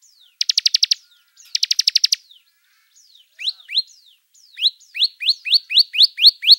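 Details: Bar-winged prinia singing vigorously: two short, fast rattling trills open the phrase, then faint downslurs give way to a run of ringing rising notes, closely and evenly spaced; clean recording without background noise.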